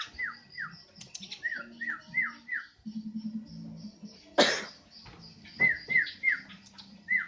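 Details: Javan myna giving a run of short, clear down-slurred whistles, about five in quick succession. A sharp loud burst and low murmuring follow, then four or five more falling whistles. Indoor setting.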